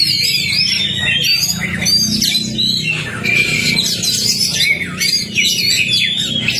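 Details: Continuous Oriental magpie-robin song from a lure recording for a caged bird that has gone quiet: loud wavering whistles, harsh squawky notes and quick chattering sweeps, tightly packed with barely a pause, over a low background hum.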